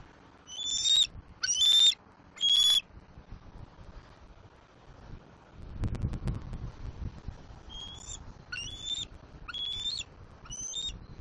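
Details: Young bald eagle on a Southwest Florida nest, mantling and squeeing as it claims a fish brought by its parent, 7 April 2024. Three piercing whistled squeals, then a rustling thump, then a faster run of high squeaky calls.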